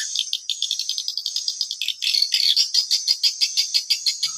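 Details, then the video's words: Swiftlet call lure played at a 10-month-old swiftlet house during afternoon monitoring: rapid, dry, high-pitched twittering about three times a second, steady and insistent, with a slightly louder, denser stretch midway. "SUARA PANGGIL WALET ORIGINAL"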